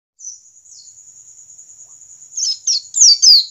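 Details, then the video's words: A wild-caught white-eye holds a long, thin, very high buzzy note, then breaks into rapid, loud, tumbling twitters of falling notes, used to prompt other white-eyes to start singing. "Jangan remehkan pleci ngalas standar, justru ini yang dapat mempercepat pleci buka paruh."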